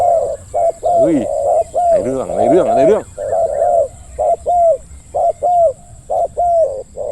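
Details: Spotted dove used as a decoy bird to lure wild doves, giving a deep 'khu-ang' style coo: short low coos repeated about once a second in uneven bursts, with a man talking and whistling over the middle part.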